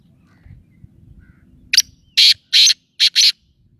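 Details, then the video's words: Black francolin giving its call after a low, quiet rumbling background: a brief sharp note followed by four loud, harsh, rasping notes delivered as two pairs. "kala teetar ki awaz"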